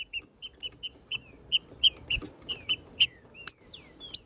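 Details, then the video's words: Green-winged saltator, a territorial bird, singing vigorously: a series of short, clear, ringing notes about every third of a second. The notes grow louder and end in sharper, higher upswept notes. The background is quiet. "Macheando muito trinca ferro"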